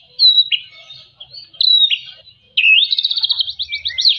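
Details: White-rumped shama singing vigorously, used to stimulate shamas reluctant to sing: two loud drawn-out whistled phrases with dropping ends, then a rising sweep into a fast, rattling trill.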